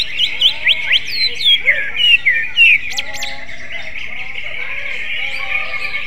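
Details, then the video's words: Greater green leafbird singing in a magpie-robin style: a quick run of sharp, high chirps and slurred whistles in the first three seconds, then softer scattered notes over a faint background hum. "CUCAK IJO RASA KACER, BURUNG NYENTRIK !!"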